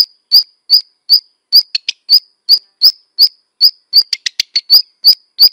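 Black redstart giving thin, high sharp notes about every half second, each with a dry click, broken twice by quick scratchy crackling bursts.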